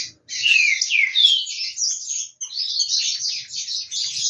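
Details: Captive-bred green-winged saltator warming up its voice for the coming season: loud, descending whistled slurs early on, then a dense run of high, rapid chattering notes with no other clear sounds.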